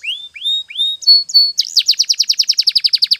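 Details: Canary song for training: three rising whistled notes, two short level whistles, then a fast, even trill of sharp downslurred notes repeated about seven times a second.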